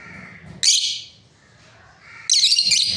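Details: Paired breeding lovebirds: a faint chirp, then a sudden shrill squawking chirp, a short lull, and another louder burst of harsh, high chirps at the end.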